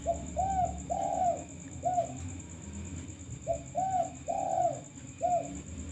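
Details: Male spotted dove used as a lure, calling actively in repeated low cooing phrases, a short coo followed by longer arched coos, two phrases in six seconds, over a low rumble and a faint steady high electronic tone.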